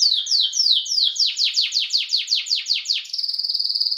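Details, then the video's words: Timbrado canary singing, for training canaries: a series of about a dozen whistled notes, each sliding downward, repeated roughly three per second, then breaking into a fast, level, high buzzing trill. "CANARY SINGING BEST VIDEO TO TRAINING CANARIES"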